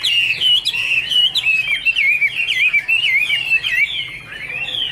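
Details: Chinese hwamei singing Iron Ax Blade Cut Wood while said to be angry and dancing: loud, wavy, rolling whistles in fast bursts with short pauses, bright and strong throughout.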